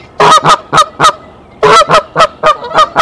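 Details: A nesting female goose calls out an alarm to summon her mate, Decorah, March 27, 2023: two bursts of loud nasal honks, four then six, separated by a short gap.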